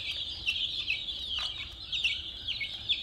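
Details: A group of colorful baby chicks with a toy car produces rapid, shrill, high-pitched peeping. Individual falling chirps stand out at irregular intervals within the dense, steady chorus.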